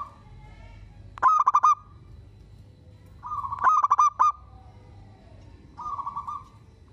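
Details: Local zebra dove in lively song, said to provoke other zebra doves into answering: a soft steady hum-like coo breaks into a quick burst of four or five stuttered, pulsed notes, phrase repeated three times with a faint background rumble.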